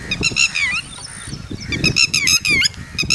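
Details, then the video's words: Red-wattled lapwing, local name tateri, with chicks: insistent, strident notes repeated in quick succession, broken by a brief pause, with harsh harmonic tone and downward-bending endings. Low rumbling noise runs throughout. "Red Wattled Bird Singing And Red Wattled Chicks (ٹٹیری )"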